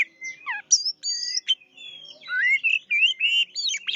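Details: Oriental magpie-robin (kacer) singing energetically: a rich, varied run of clear whistles, slurred upsweeps and downslurs, and short warbled trills, jumping between high and middle pitches with brief gaps between phrases; no other sounds.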